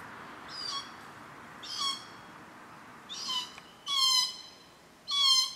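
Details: Glossy black cockatoos calling at a Cootharaba feeding ground among Casuarinas, visited yearly from June to September. Grating, rasping calls with a drooping tail come at uneven intervals, growing louder toward the end, over faint background hiss.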